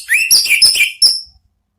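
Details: Orange-headed thrush sings a short ngeplong phrase used to lure other birds: a rising whistle followed by rapid ringing, varied notes and a final clear high whistle that fades out.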